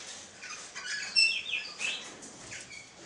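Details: Bluebonnet giving short, high chattering chirps and thin whistled notes in irregular quick bursts, separated by scratchy rustling sounds.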